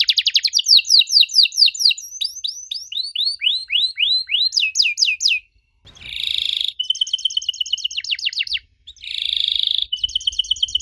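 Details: Canary singing to coax young canaries into answering: rapid sharp downswept chirps speeding up, a brief pause, then loud buzzy rolls alternating with fast clipped trills.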